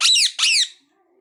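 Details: A parrot lets out a pair of loud, grating squawks back to back, both falling at the end, then silence.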